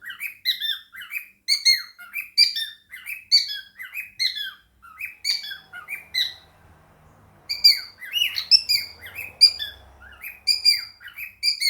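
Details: Indoor pet cockatiel chattering among budgies: rapid strings of sharp chirps and warbles, a quiet gap of about two seconds with faint low hum midway, then chatter resumes briskly.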